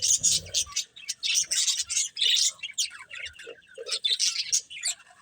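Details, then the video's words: A group of budgies playing, with choppy high chirps and squeaky twitters in short bursts separated by brief gaps, plus light clicks and rustles. "Cute Budgies Chirping Sounds"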